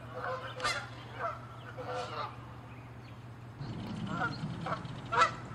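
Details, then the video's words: Angry, territorial Canada geese fighting and chasing; separate loud honks spaced about half a second to a second apart, a rougher rumbling noise entering midway, a final sharp honk. "Geese fighting & honking loud sounds"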